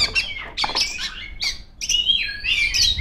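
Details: Female Oriental magpie-robin (kacer) singing loudly and continuously to call rivals: bright whistled notes and short rising and falling slurs at high pitch, broken by brief scratchy bursts, with a quiet pause near the middle.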